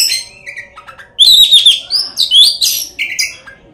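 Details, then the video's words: Lure song of an Oriental magpie-robin meant to rouse rival birds to sing: a varied, loud phrase of clear whistles, sharp high notes and slurred rising and falling tones, with faint chatter before it begins. "kacer gacor full isian kacer gacor buka ekor pancingan kacer bikin lawan dijamin ampuh."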